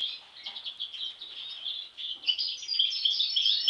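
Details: Sibling European goldfinches, two of them with an abnormal mask since birth; soft scattered twittering at first, building into louder, clearer tinkling chirps and trills toward the end.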